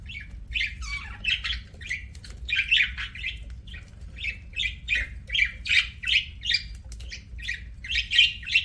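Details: Budgie eating and chirping, short scratchy notes repeated quickly at an uneven pace of roughly three per second, a steady low background hum throughout.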